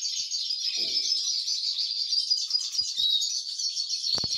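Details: Canary chicks begging while a copper mosaic female cares for them: an unbroken shrill, quivering hiss of high begging notes, steady in loudness, with a few faint taps and a brief rustle.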